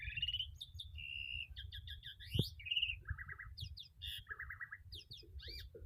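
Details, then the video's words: Caged starling song, a varied medley of clear whistles, buzzy trills and rapid warbled phrases, with steady low background hum and a single loud click. "Gacorr!! Burung Jalak"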